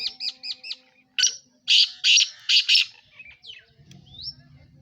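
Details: Calling black francolin from Sindh, Pakistan, with five loud, grating, buzzy bursts in a tight sequence, opened by four quick hooked chirps and followed by a faint rising whistle and low background rumble.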